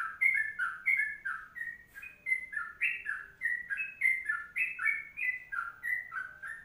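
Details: A sooty-headed bulbul singing a long kongslet song: chattering liquid note pairs repeated without gaps, a brief pause near the middle, then the chain resumes, with faint high ticking throughout.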